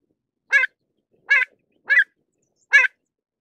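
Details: Pied avocet giving four short, harsh, clipped call notes spaced irregularly over about three seconds, each note brief and ringing with a strong mid-pitched core; otherwise silent background.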